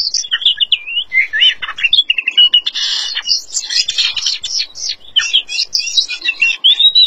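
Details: A featherless ("nude") Oriental magpie-robin singing vigorously: a rapid, unbroken run of varied whistles, trills and scratchy notes, high-pitched and constantly changing, with no other sounds.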